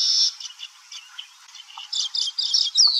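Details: Baya weaver song with rapid, uneven high chattering and buzzy notes over a faint hiss, finishing with a sharp descending whistle.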